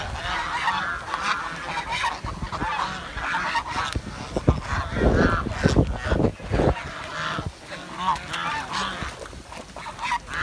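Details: Village swan producing fast, repeated nasal honks in bursts, calls crowding together, with heavy low thumps and rustling in the middle of the recording.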